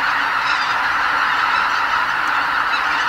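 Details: Pre-dawn roost departure of a huge spring flock of greater white-fronted geese at Lake Miyajimanuma wetland, Hokkaido, Japan; a constant wash of many honking voices with no single call standing out.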